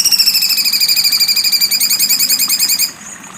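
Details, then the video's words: Cucak cungkok singing a sharp, rapid 'besetan tajam' trill: a fast, buzzy, evenly pulsed high rattle held for almost three seconds, then cut off abruptly, leaving faint background hiss. "cucak cungkok besetan tajam"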